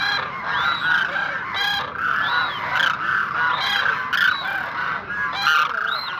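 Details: A calling group of demoiselle cranes, called koonj, produces a continuous mass of rough, honking, rolling calls with repeated rising-and-falling arched notes and no silence between them.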